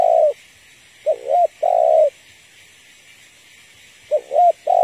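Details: Female spotted dove calling a male, used as a trap lure: paired phrases of a quick double coo followed by a longer, hoarse, slightly falling coo, repeated after a pause of about two seconds.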